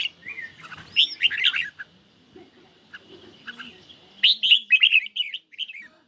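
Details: A red-whiskered bulbul in a cage, out in light sunshine and singing in a duel against a phone. Muffled warbles are followed by a loud, clear burst of quick chirping notes, with a steady faint tone beneath.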